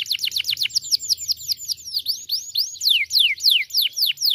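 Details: Canary in full, persistent song, played to provoke silent canaries into singing: a fast stream of loud, high, downward-sweeping whistled notes, about three per second, slowing slightly toward the end, over a faint low hum.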